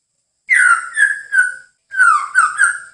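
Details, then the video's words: White-rumped shama singing clear whistled phrases in two bursts about a second long, each made of three or so slurred notes sliding downward, with thin high overtones and silence between bursts. "KICAU MURAI BATU"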